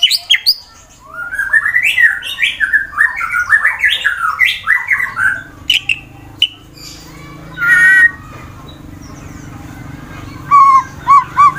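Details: White-rumped shama of fighter type from Wonosobo, Central Java, Indonesia, used to goad rival birds into song: a run of warbled, rising and falling notes for five seconds, then scattered short calls over a low hum.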